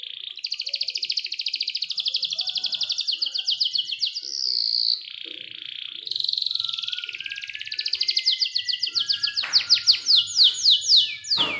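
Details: Young canary song meant to prompt silent canaries to sing, with long clear rolls: fast trills between 2 and 5k, sliding descending notes, and a dense rapid rattle of repeated notes near the end.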